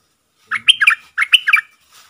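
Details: Bold wild red-whiskered bulbul answering a caged decoy bird, recorded 5-6-64: two quick phrases of three to four bright, slurred whistled notes, each phrase about half a second, separated by a short pause.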